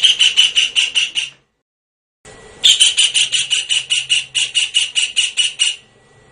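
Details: Blue-eared kingfisher call used as a lure: a fast series of sharp, high piercing notes, about six in a burst, then a pause and a longer run of around twenty evenly spaced shrill notes.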